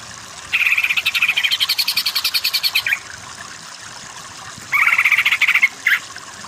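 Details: Greater green leafbird tutor song for cucak ijo lacking power, to make them sing kejer; a long, fast, evenly pulsed trill lasting about two and a half seconds, a pause, then a shorter trill and a final slurred note.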